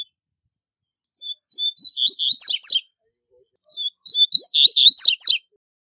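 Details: Strong, rapid Double-collared seedeater song for tutoring young birds, two similar phrases about two and a half seconds apart, each starting with thin whistles and speeding into dense buzzy twittering notes, no background noise.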